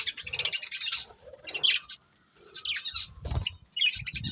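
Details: Budgerigars, a pet breeding pair, twitter in rapid scratchy high chirps and warbles in repeated bursts, with brief thumps and rustling in the cage.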